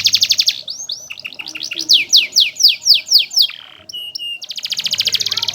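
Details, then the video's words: Canary used as a master bird for teaching song to other canaries: rapid trills, then a sequence of fast descending sweeping notes repeated about four per second, a short pause, and a buzzy high trill, with a low hum beneath. "BURUNG KENARI Gacor‼ di MASTERI pakai burung ini LANGSUNG Ikut Gacor❗❗"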